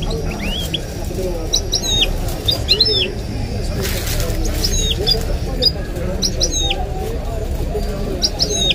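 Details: Caged goldfinch and canary hybrid in song, giving short sharp rising and falling whistles in scattered bursts over continuous Arabic speech in the background.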